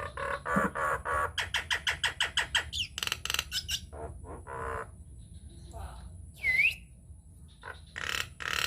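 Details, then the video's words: Nias hill myna used as a lure to provoke singing in other mynas, delivering a long fast rattle of harsh clicks, scattered raspy notes, one loud rising-falling whistle and a final burst of rough calls. "PANCINGAN / MASTERAN JALAK NIAS GACOR, TEMBAKAN DAHSYAT 🔥 |INDIAN MYNAH BIRD CALL"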